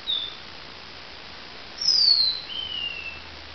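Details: Dawn song of a lavender finch: one tiny high peep, a gap, then a bright, piercing downslurred whistle trailing into a quieter, lower sliding whistle, against a soft constant hiss.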